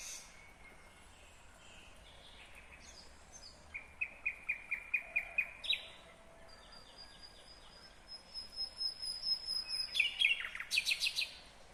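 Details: Nightingale in Kyrgyzstan, 2020, giving a rapid, evenly spaced string of staccato notes, then a long thin high whistle followed by loud rattling bursts.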